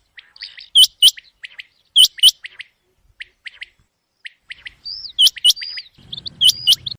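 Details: ['Common quail heard at night for quail hunts, giving repeated phrases of two loud hooked notes followed by quieter short ones; a rumbling low noise joins near the end.']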